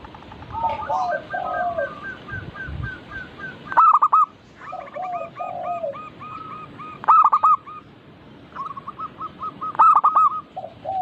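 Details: Local zebra doves sing in a group as a singing lure: soft, lower gliding coos beneath repeated strong bursts of clipped, ringing coos about every three seconds.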